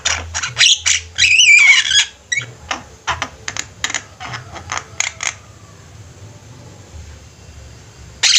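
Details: Javan myna flock chorus used as a training master for cage birds: harsh, squawky bursts in quick succession for five seconds, one longer rasping phrase near the start, then near silence.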